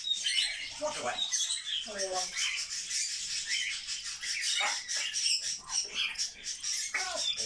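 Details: Grey parrot chatters without pause, as it reportedly does all day: rapid speech-like syllables with hoarse, buzzy voice, a short harmonic call and scattered high squeaks.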